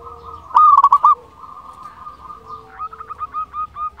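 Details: Local zebra dove singing, used to rouse quiet caged doves in Indonesia; a short loud burst of rapid rolled coos, a soft hum, then a quieter rhythmic series of clipped notes.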